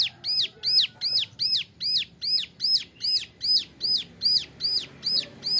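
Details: Steady chirping from a young male Bar-winged Prinia, recorded as a model for training other birds: high, arched notes with ringing overtones, repeated evenly about two and a half times per second.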